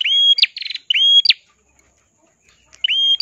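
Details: Ashy tailorbird, red-headed, singing persistently in a crystal-clear voice as tutor song for other songbirds: two loud whistled phrases, each a flat high note flicking up at the end, one followed by a quick buzzy rattle, then silence and a third whistle.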